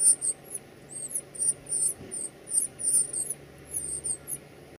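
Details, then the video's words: Red cardinal at the nest feeding its young: sharp, high-pitched squeaks in tight clusters, rapidly repeated in bursts with brief pauses between, over a quiet low rumble. "bird red Cardinal bird Feed its children well."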